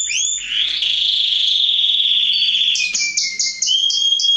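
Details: Male canary song meant to stimulate females to mate, used for training: a long, even, rolling buzzy trill held at one pitch, then thin whistled notes and quick chirps repeating.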